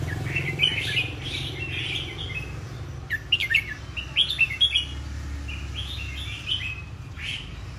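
Red-whiskered bulbul song in short, bright, warbled phrases, half a dozen bursts in quick succession, over a steady low hum.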